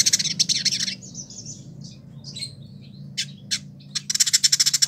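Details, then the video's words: Captive Village indigobird from Bandung, Indonesia, a year in care, singing actively. Rapid buzzy trills open and close the passage, with whistled slurs and sharp chips between them, over a faint low hum. "Burung Masteran : Village Indigo Gacor"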